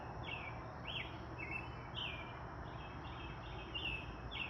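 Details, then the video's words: Birds chirp in short, high, slightly slurred notes, roughly two a second, over a steady background hiss; cars pass nearby and rabbits are present. "Birds chirping"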